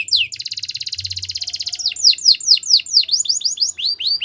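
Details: Belgian canary producing a long, steady, rapidly pulsed trill followed by a chain of loud swooping whistles repeated several times per second.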